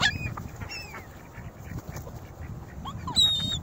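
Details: A crowded flock of Ring-billed gulls at North Lakes, feeding on cereal, bread and crackers put out for them, gives brief, squealing, down-slurred cries, with a louder burst near the end over a low wind rumble.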